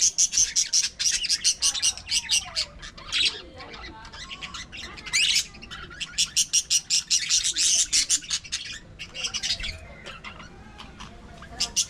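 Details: Many budgerigars in an aviary colony keep up a long, loud chatter of clipped chirps and warbling twitters in pulsing bursts, with softer gurgled notes between them.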